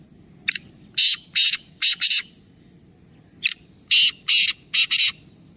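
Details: Three black francolins calling in action, giving harsh, grating bursts in two rising series of four to five notes, each series a few seconds apart, over a low background rumble.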